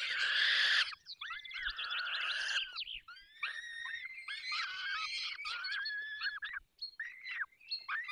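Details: Falcons being fed at their nest, Barycz Valley, Poland; a loud raspy scream opens, then thinner bending whistled wails rise and fall, growing sparser toward the end.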